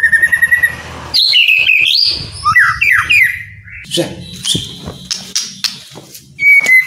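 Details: Caged white-rumped shama song for spurring quiet birds to sing: quick whistled notes give way to varied sliding phrases, sharp clicks and a final high whistle, with a faint low hum underneath.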